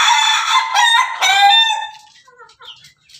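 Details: Laughing chicken (Ayam Ketawa), a red rooster on top of its cage, crowing melodiously: one long, loud, rich, harmonic crow of about two seconds, trailing into a string of soft, quick chuckling notes.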